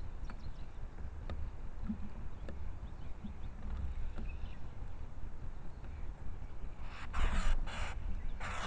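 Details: A Blue Jay, whining perhaps because the peanuts have run out, gives a few harsh, raspy bursts in quick succession near the end, over a steady low rumble with faint ticking earlier on.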